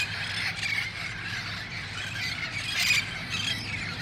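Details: Gathering wild red-faced parrots at dusk, El Cajon, August 1, 2018, shortly before roosting in nearby trees; overlapping strident squawks with a louder burst near three seconds, over a faint low hum.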